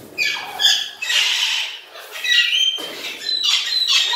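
Blue-headed macaw giving four harsh, raspy squawks about one second apart, each a broad grating burst with a slightly nasal edge; nothing else is heard.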